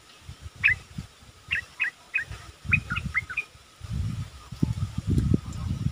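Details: A captive Cream-vented Bulbul used as a decoy bird sings a string of short, bubbly, upward-flicking notes in quick bursts, over low rumbling background noise.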